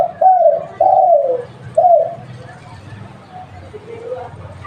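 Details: A local spotted dove that serves as a lure utters three mellow coos, the second long and sinking in pitch, followed by quieter background murmur and low rumble.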